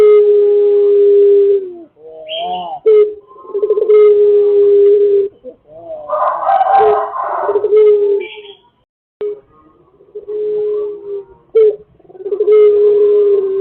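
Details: Lure recording of Pelung chickens crowing: repeated long, even crows, a harsh, noisy passage in the middle, several overlapping calls and brief gaps of silence.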